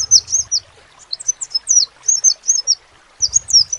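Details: Crimson sunbird giving scattered high, thin chirps and downslurred squeaks in loose short groups, with a quiet stretch in the middle and a low hum at start and end.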